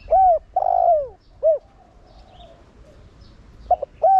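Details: A 'Thổ Đồng'-voiced spotted dove calls to stir other doves into cooing: low mellow coos, a brief note, a long wavering coo and a short closing note, then the next phrase begins; faint small-bird chirps in the background.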